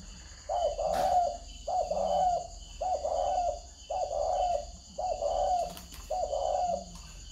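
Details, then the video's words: Spotted dove (cu gáy) cooing in the style called "căng gù tít": six even, mellow, low cooing phrases, each about half a second long and repeated roughly once a second, over a faint steady high-pitched hum. "cu gáy căng gù tít"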